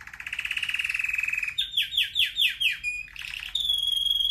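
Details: Singing red factor canary, kept as a pet, opens with a long fast buzzy trill, then loud repeated downward-sweeping whistles and a steady high whistled note.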